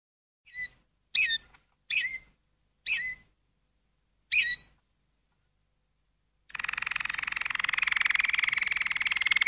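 A Malinois canary gives five short, clear chirping notes spaced about a second apart, then breaks into a continuous, rapid rolling trill that runs on.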